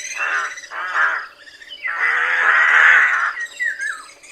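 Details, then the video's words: Rook, a social corvid said to gather in noisy flocks in fields and woods, especially in winter: hoarse, drawn-out cawing notes, one long grating call in the middle, ending with short downslurred squawks. "SONIDO DE GRAJO"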